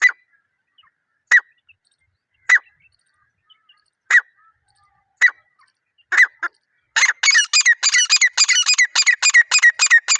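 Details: Jungle partridge (teetar), natural unedited recording: single sharp squawks every second or so, then a sudden quickening into a rapid, rattling chain of harsh notes for the final three seconds.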